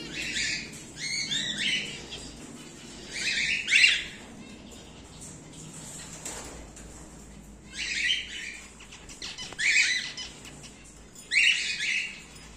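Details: Caged emerald split cockatiel pairs, a rare colour mutation; rough, grating screeches delivered in clustered bursts roughly every two seconds with quiet gaps between, some faint flutter noise.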